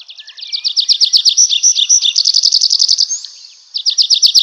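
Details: Night-time forest song of a nightingale, a rapid rattling series of bright, clipped notes that swells and holds steady, pauses for under a second, then restarts with the same quick repetition.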